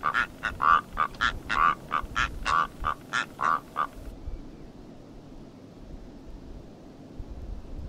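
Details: Rüppell's korhaan delivering a steady run of about a dozen coarse, croaking notes, roughly three per second for four seconds, before falling silent with only faint background hiss.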